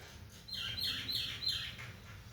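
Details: A common myna, one of a pair visiting a window after rain, gives three loud, harsh chirping phrases about half a second apart, grating and whistled notes mixed, over a faint low background hum.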